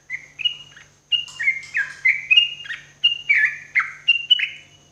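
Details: Sooty-headed bulbul (trucuk) morning song used as therapy for cage birds: a bright run of short whistled notes, each bending up or down, in loose groups of two or three, with a faint steady hum behind.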